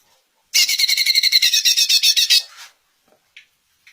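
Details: Greater green leafbird song used to make other leafbirds answer: a dense burst of rapid, high chattering notes lasting about two seconds, then fading, with a few faint notes afterwards.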